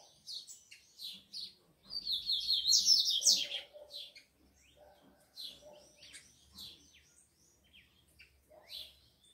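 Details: Tico-tico (rufous-collared sparrow) held by a breeder, hot male among fiery females: high chips, then a loud, buzzy, rapid trill lasting over a second, followed by more scattered high chirps and soft lower notes.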